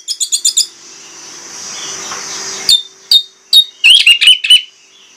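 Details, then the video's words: Orange-headed thrush delivering a forceful lure song rich in borrowed phrases: a quick rattle of high notes, a pause, then scattered sharp chirps and a rapid trill of bright whistles. "PANCINGAN ANIS MERAH PLONG NGOTOT BONGKAR ISIAN"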